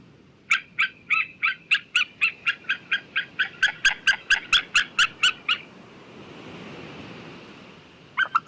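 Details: White-tailed eagle calling: a fast series of about twenty sharp yelping notes, roughly two to three per second, running for five seconds before falling quiet, with a faint note returning at the end.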